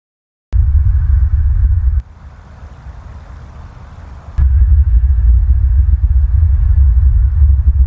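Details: Loud low rumble from wind or an engine starts, drops to a quieter hiss for a couple of seconds, then returns strongly, with no animal voices.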